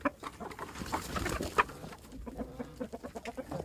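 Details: Barnyard chicken recorded up close, giving a rapid run of short, choppy clucks with a brief sharper squawk near the middle.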